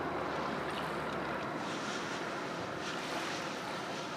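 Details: Continuous surf and wind rush fills the recording, slightly louder at first, with no bird calls heard.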